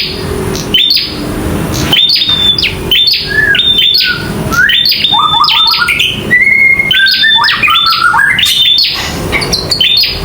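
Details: Local bar-winged prinia fighting and singing. Varied phrases of high clicks and whistles, with stepped, lower whistled notes dropping and rising in the middle, then faster snapping bursts. Steady background hiss.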